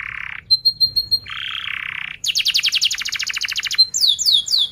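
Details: Long, energetic canary song with dense rolls and repeated chirps, used to coach young canaries: harsh buzzy blocks, separate ringing notes, a fast steady rattling trill, then rapid downslurred whistles.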